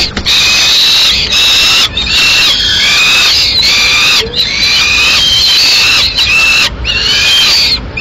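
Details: At a Madrid nest in Spain on 21 May 2016, a female Peregrine falcon feeds pigeon to two chicks; loud, insistent high-pitched squealing runs almost without pause, notes bending down in pitch.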